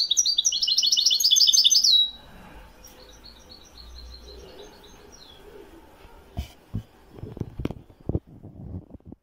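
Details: Moroccan Wedani-style European goldfinch song, 2021: two seconds of fast, high twittering, then faint soft chirps, followed by a series of sharp knocks and clatters.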